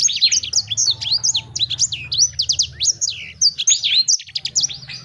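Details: Loud, energetic Sanger bird song of tumbling high whistles and sharp chirps packed closely together, over a soft low background hum.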